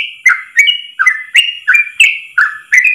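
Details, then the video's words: Yellow-vented bulbul delivering a 'ropel' song, long and unbroken in one breath, used as a tutor recording for trucuk birds: roughly nine quick whistled notes in three seconds, bright and bouncing between two or three pitch levels. "Masteran trucukan terbaik ropel 1 nafas panjang"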